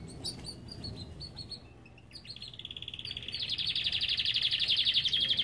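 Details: Belgian canary from an aviary giving a few sharp chirps before launching into a long, fast, steady rolling trill that grows louder toward the end, with a faint low hum beneath.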